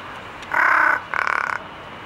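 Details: Large-billed crow at Ueno Zoological Gardens, calling in various voices: a hoarse caw followed by a shorter, rapidly pulsed rattling caw.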